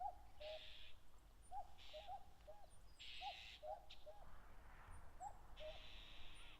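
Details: Common cuckoos (Cuculus canorus) disputing territory on wide grassland below Mount Fuji, Japan, late May, wild; several two-note cu-ckoo calls overlap as rival birds answer one another, with bursts of high hissing buzz and thin chirps behind.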